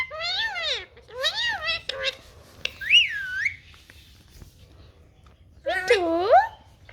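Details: Indian ringneck parakeet talking in Punjabi while taking a bath: bursts of harmonic, speech-like phrases with wavering pitch, a rising-and-falling whistled note midway, then a final voiced burst, with quiet gaps between.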